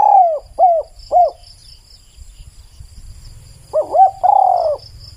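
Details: Spotted dove song: first the end of a phrase with three falling coos, then after a pause a new phrase of quick rising notes followed by a long, descending coo. A high insect hum continues underneath.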